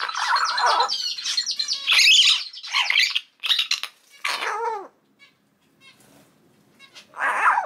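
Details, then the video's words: Common hill myna chick, three months old, unable to talk, sex unknown, kept as a pet: rapid, harsh, scratchy squawks merge into a noisy stream, then downward-slurred cries, a pause, and a final rasp. "九官鳥の鳴き声｜お喋りできない生後3か月の赤ちゃんです Crying Myna bird"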